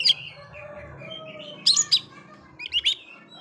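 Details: Sparse Oriental magpie-robin song used to stir other magpie-robins: a brief whistle, then a quiet gap, then a pair of sharp bright notes and a short twittering phrase near the end.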